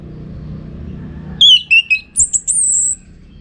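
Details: Orange-headed thrush in energetic song used to train contest birds: a quick series of loud descending whistled notes, followed by a sustained very high thin trill, over a quiet background hum.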